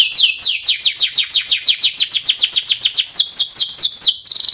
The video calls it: Timbrado canary singing beautiful melody